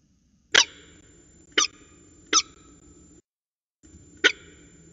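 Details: Sharp, loud single call notes from a peregrine falcon at the Orange CSU nest site, January 2020, spaced about a second apart, four harsh broadband yelps over a faint background hum.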